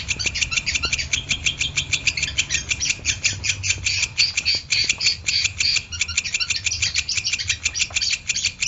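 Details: Long-tailed shrike in harsh, fast chattering song, recorded to train birds to sing lively: grating, squawky notes repeated several times a second, with a few clicks and low hum.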